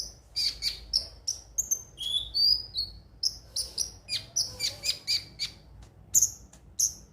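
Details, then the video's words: Konin song for coaxing birds to sing: a lively run of high sliding chirps and short whistled notes, evenly repeated about twice a second, with a few lower slurred tones. "pancingan suara burung KONIN agar rajin bunyi tiap hari"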